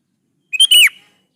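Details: Sooty-headed bulbul singing actively, played to prompt other bulbuls to reply: one short phrase of two clear whistled notes, the second longer and sliding downward, in otherwise silent surroundings.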